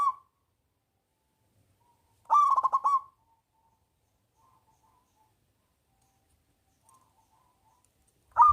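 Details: Local zebra dove with a big voice, singing to lure lazy doves into song: one loud rolling coo phrase of rapid beats, about a second long, in a quiet setting, with fragments of other phrases at the edges.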